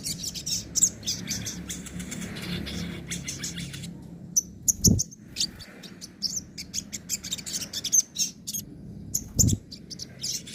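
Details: Sogon (crimson sunbird) singing nembak and ngobra song types as a tutor for silent birds: long runs of high, piercing twittering and sharp chips broken by brief gaps and two low thuds.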